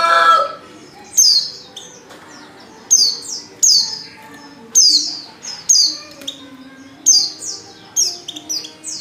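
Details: Oriental white-eye female calls used as a lure for singing males: series of loud, thin, high falling notes in clusters, after a brief lower sound at the start.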